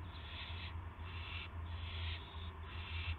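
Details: Evening owl sounds, 8 PM, 18 March 2016, with a gopher delivered: four long, breathy rasping screeches in quick succession, backed by strong low-pitched hum.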